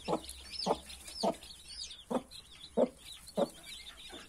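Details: Mother hen with 31 newborn chicks gives about seven evenly paced, short clucks, one every two-thirds of a second, as chicks cheep faintly in high curling notes.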